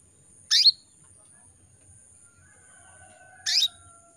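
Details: Canary hen in breeding condition calling males: two short piercing chirps three seconds apart, each falling quickly in pitch, with faint thin whistles between them and a constant high hiss.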